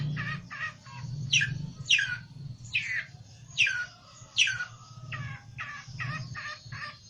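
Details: Olive-backed tailorbird singing agitatedly while seeking a rival: a series of sharp downslurred notes, some loud and some softer, repeated about once a second over a low background rumble.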